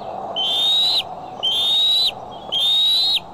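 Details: Decorah bald eagle, July 6, 2011, afternoon or evening highlights: three drawn-out, thin whistles gliding gently upward and ending in an abrupt downward flick, roughly one per second, with faint low hum beneath.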